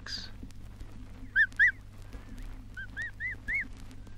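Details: Emu chicks recorded in Australia (1968 release) give short, arched whistled peeps, a pair and then four more evenly spaced, over a steady low hum.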